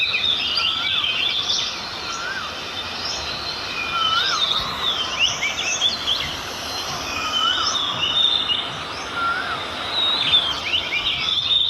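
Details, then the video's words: Birds chirping on a peaceful village farm field in the morning: many overlapping high twittering and whistled notes, with short rising whistles repeated every second or two, over steady background hiss. "Relaxing Birds Sound"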